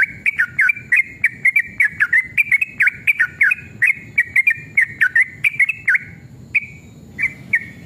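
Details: Sooty-headed bulbul in a fiery, fight-ready mood, singing a long rapid 'ropel' lure song: a steady run of short, bright whistled notes with quick up-and-down bends, about three per second, easing into a few spaced notes near the end.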